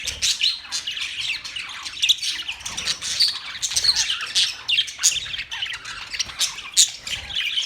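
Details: Chirping budgerigars give rapid squeaky chatter with sharp bright accent notes scattered through, several voices overlapping.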